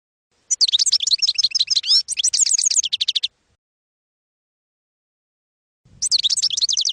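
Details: European goldfinch song, campero type, used to educate young goldfinches: dense rapid high twittering and metallic trills for nearly three seconds, a long pause, then the bright twittering starts again.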